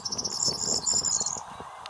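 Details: Corn bunting singing in a hedge near Wrestlingworth, Bedfordshire, UK, on 16 May 2020: a high, dry jangling trill of rapid glassy notes lasting over a second, over steady low rumbling background noise.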